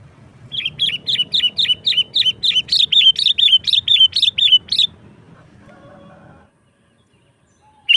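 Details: Sooty-headed bulbul song, played to lure wild birds: loud, clear, bouncy chirped notes repeated about three times a second for over four seconds. A short quiet rustle follows, then a note starts again at the very end.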